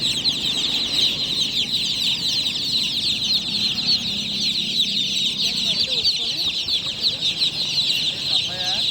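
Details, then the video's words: Just-born chicken chicks chirping loudly at night, a crowded wall of thin, high peeps running without pause, while faint human voices murmur low in the background. "Tot Murgi Chicks Chirping Sounds - Just Born Baby Gallina FRACAS Chicks Piar Loudly Sound"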